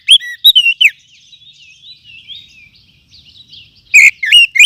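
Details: Wild oriental magpie-robin lure sound for training songbirds: a short burst of bright whistles, then a long stretch of softer, thin warbled twittering, ending with a loud run of rising whistled notes.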